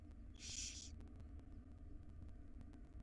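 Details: Begging from one of five wild barn owl chicks in a nest box while the mother brings breakfast: a single loud, rasping hiss lasting about half a second, then low background hum.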